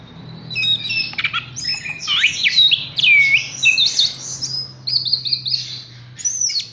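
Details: Horsfield's bush lark pours out a lively series of swooping whistles, downslurred notes and fast trills, with short high chirps near the end.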